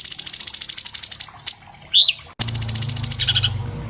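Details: Orange-bellied leafbird song used as a master for cage birds, phone-recorded: a long rapid trill of high chips, a single rising whistle, then another chattering run over faint low hum.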